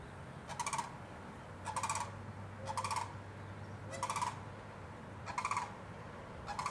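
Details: Sandhill crane visiting Winding Waters Natural Area in West Palm Beach, Florida, calling in a steady series of six rattling, rolling bursts, each under half a second, roughly one per second, with faint low hum behind.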